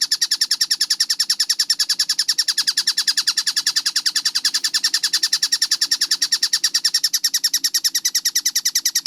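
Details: Kingfisher (tengkek buto) calling in a fast, clean training recording: a long, unbroken series of quick, harsh, high-pitched notes at an even tempo, loudness steady throughout, faint background hum.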